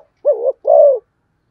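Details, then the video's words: Fast cooing from a spotted dove: two low, hollow coos in quick succession, the first short and wavering, the second longer and steady, in a quiet setting. "cu gáy thúc gù tốc độ"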